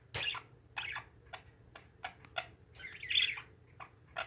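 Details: Pet parakeets in a room: scratchy squawks alternating with short, sharp clicks and chirps, one louder buzzy burst near the end.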